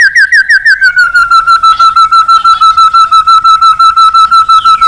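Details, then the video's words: White-rumped shama calling a rival: a long steady whistled tone held for several seconds over a fast, regular pulsing of clipped notes, about three per second. "Suara Burung Murai Batu Gacor Memanggil Lawan"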